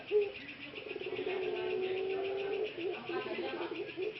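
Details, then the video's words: Ringneck (Barbary) dove, one of three productive males recovering a slightly hoarse voice after long confinement in a breeding cage: a long, drawn-out, hoarse coo held about two seconds, then shorter wavering notes over a steady background hum. "3 Pejantan Proses Recovery Suara Yang Agak Serak Pada Puter Pelung"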